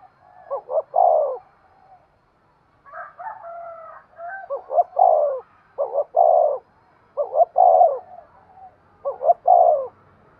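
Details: Spotted dove calling to stimulate breeding: low mellow coos in short bursts, each a couple of quick notes leading into a fuller held note, repeated steadily, with a brief higher fluttering sound near the start.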